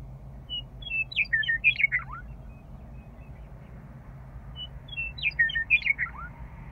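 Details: {'caption': 'Western meadowlark back at Rocky Mountain Arsenal National Wildlife Refuge in spring, stationary near a parked vehicle, giving two matching phrases of bubbly, warbled whistles, each ending in a falling slur, about four seconds apart, with low engine hum.'}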